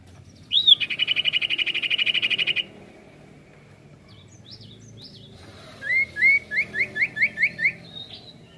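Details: Sirtu (ashy tailorbird) in prolific rolling song used to provoke other birds. A sharp note leads into an even buzzy trill of about two seconds, then a steady run of some nine whistled, upslurred chirps.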